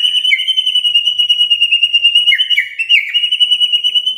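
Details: White-rumped shama morning lure: a continuous high, even trill with brief downward whistled slurs woven through it.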